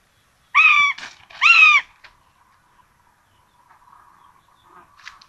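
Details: Rabbit breakfast for two common buzzard chicks at a nest in Tiszalök, Hungary, 26 June 2022: two loud, harmonic, gently bowed calls a second apart, followed by soft low rustling and a faint high note.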